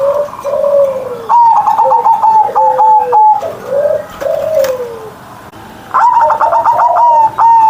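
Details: Kept zebra dove singing loudly at morning: strings of quick bright notes over low falling coos, the phrase returning after a short pause.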